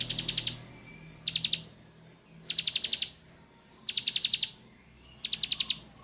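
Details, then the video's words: {'caption': "Bar-winged prinia singing 'nembak': short bursts of about six quick, high, sharp notes, repeated roughly every 1.3 seconds over a faint low hum."} "Ciblek Sawah Nembak"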